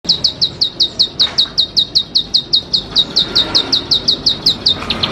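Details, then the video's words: Bar-winged prinia, a champion bird singing constantly, gives a fast run of sharp, high, downslurred chirps, about five a second, steady and unbroken through the whole stretch. "ciblek cici padi"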